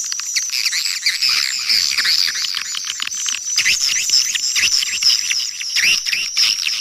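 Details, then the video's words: Calling and roosting sounds of swiftlets from Kampar, Riau, meant to lure the birds. Many overlapping high twitters and squeaky chirps form a continuous, shimmering chatter with sharp click bursts scattered throughout. "Suara Panggil Burung Walet"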